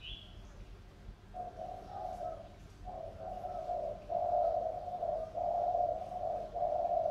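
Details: Tame decoy spotted dove of Sóc Trăng stock, wild-caught and kept two years, cooing hard: a run of low, hoarse coo phrases, each about a second long, growing louder. A short high chirp sounds at the start.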